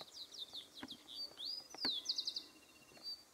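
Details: Rufous-collared sparrow (chingolo, copetón) singing in the wild woodlands of Entre Ríos, Argentina: slurred high whistles sliding downward, then a quick dry trill of four notes, over a quiet background.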